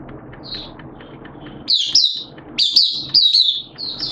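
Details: Caged Oriental white-eye kept as a hobby songbird, singing openly ('buka sing') on 11 September 2022 in wet, erratic weather: a quiet high note, then bursts of rapid, high, sweet twittering phrases, with a low background rumble.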